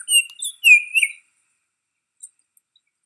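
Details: Baltimore oriole at Riverwood giving two clear, slightly rising whistled notes with thin high overtones, followed by near silence and a few faint distant chips.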